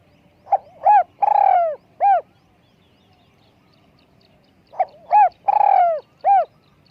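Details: Spotted dove with a small, high voice, used for luring, giving two similar cooing phrases roughly four seconds apart: short note, arched coo, long descending coo, arched coo, with quiet surroundings.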